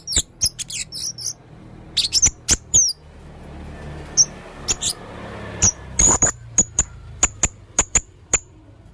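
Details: Male blue-crowned hanging parrot, red throat, giving clusters of high shrill chirps, a pause, then a steady series of thin, piercing single notes repeated about every half second.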